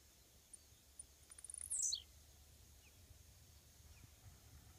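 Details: Blue-black grassquit (tiziu) on a fence by a road: a quick series of soft ticking clicks leads into one very high, sharp, sliding note that drops steeply in pitch, over constant low rumble.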